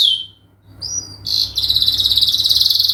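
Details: Canary lure song, long and continuous: a falling whistle, a brief pure whistled note, then an unbroken rapid high trill pulsing several times a second to the end.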